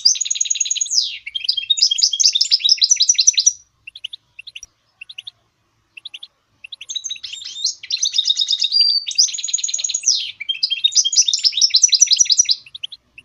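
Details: Goldfinch mule delivering two long bursts of rapid, high twittering song with buzzy trills and downward slurs. A pause with scattered short chirps separates the bursts.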